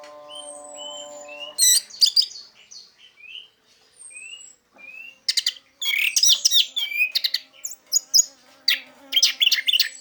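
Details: Orange-headed thrush singing in the teler style, used as a lure to get silent orange-headed thrushes singing: clear whistled slurs and glides, then after two seconds a dense, varied, fast-chattering run of notes with short pauses.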